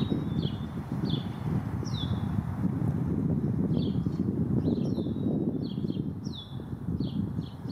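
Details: In a backyard garden in Downers Grove, DuPage County, Illinois, a Black-capped Chickadee gives short, high notes that slide downward, repeated roughly every half second to second, over steady wind rumble.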